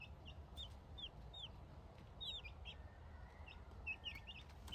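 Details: Month-old Buff Orpington chickens giving soft, high peeping chirps, short arched notes in scattered groups of two or three, with a low steady background hum.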